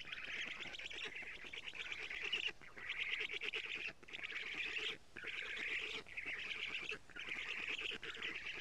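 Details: Black stork nestlings on an Estonian nest, morning of 14 June 2017, during a lamprey delivery by the female; wheezy squealing bursts about a second long, separated by short gaps, repeating steadily, recorded by a nest camera.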